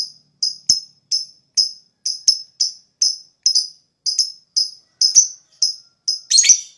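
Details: Lovebird sound used to stimulate other lovebirds into ngekek: quick, bright, high chirps, about two per second, in a steady run that ends with a louder, harsher burst.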